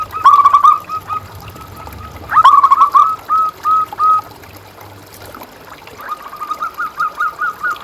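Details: Vigorously singing local zebra dove, used to stimulate and lure other doves: a fast rolling trill, then a stuttering run of coos slowing to single spaced notes, and a final steady series of rapid notes.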